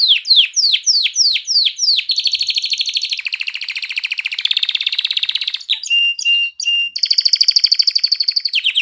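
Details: Canary song played to stimulate hens to breed and chicks to sing: opens with loud downward-swooping notes repeated rapidly, then a long mid-pitched rolling trill, a few clipped pips, and a high even trill.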